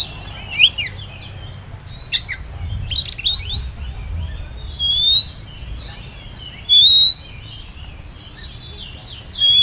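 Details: Oriental magpie-robin, spotted type (kacer trotol), whistling as a lure for young birds to sing along: sharp chirps early, then long sustained rising whistles repeated every couple of seconds, with faint low rumble beneath.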